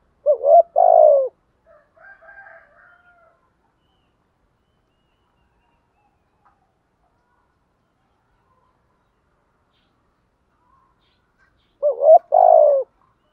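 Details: Spotted dove used as a lure to provoke wild birds into answering. One low, rounded coo phrase at the start, a faint softer call, a long quiet gap, then a second stuttering-and-drawn coo at the end.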